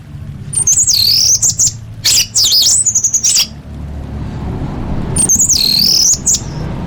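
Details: Orange-headed thrush song filled with varied fill-in phrases for training competition birds: two bursts of high, warbling, slurred whistles separated by a quiet gap with a low hum.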